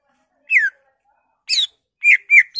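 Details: Greater green leafbird in lively song with mimicked fill-ins; a few loud whistles: a downslurred note, a rich buzzy note, then two wavering level whistles.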